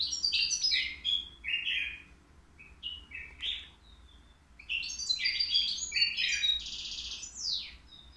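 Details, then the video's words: Caged three-year-old European goldfinch at the Qriaa bird market, sung without faults: quick bursts of bright twittering and buzzy notes, phrases delivered in two lively runs separated by a short pause, with a low steady background hum. "الموقنين بدون أخطاء عندو 3 سنوات"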